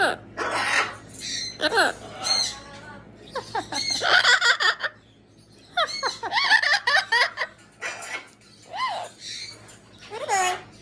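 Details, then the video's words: Amazon parrot talking indoors, a run of varied harmonic squawks, whistled slides and speech-like syllables in bursts, with a short pause near the middle; steady low hum beneath. "Talking #amazon Part 2"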